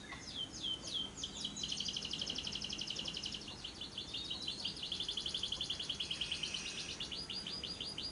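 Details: Lovebird delivering the long ngekek trill, a lure for prompting lovebirds to sing: a few separate chirps, then an unbroken rapid, high, even rattle lasting about six seconds.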